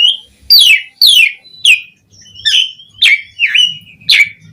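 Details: Asian pied starling song built from loud downslurred whistled notes about two a second, some wavering, over a faint low hum.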